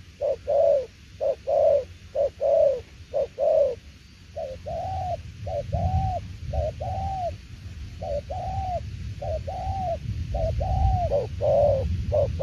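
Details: Spotted dove cooing in the 'đồng tiểu liên nước' style: clear, low paired coos at first, then continuing slightly softer against a rising low rumble, short and long notes alternating about once a second.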